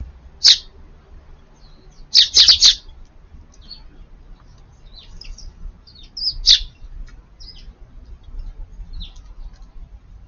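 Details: Sparrows at a garden feeder, one assertive bird chasing others away and keeping the food to itself; short high chirps at scattered intervals, a quick cluster of three near the start and single notes later, over faint background rumble.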